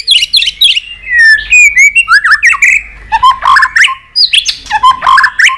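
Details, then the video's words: White-rumped shama delivering a long continuous song of many voices while flicking its tail on a perch: dense stream of fluty whistles, down-slurred notes and crisp clicks, phrases changing every fraction of a second. "chòe lửa hót giọng dây dài.đập đuôi sàn cầu đảo giọng kích thích căng lửa chòe lửa hót nhiều giọng"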